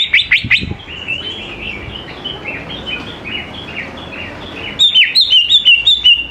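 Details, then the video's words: Greater green leafbird song played to coax young leafbirds into singing along: short sharp notes, then a steady string of slurred whistled notes, ending in a louder burst of rapid ticking and warbling. "CUCAK IJO GCOR SANGAT AMPUH BUAT PANCINGAN CUCAK IJO MUDA"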